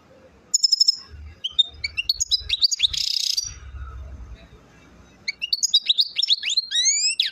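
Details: European goldfinch from Chouala, Mendes, Relizane in Algeria: sparse high notes, a harsh buzzy burst, a pause, then a run of clear slurred twitters sweeping downward, over low background rumble.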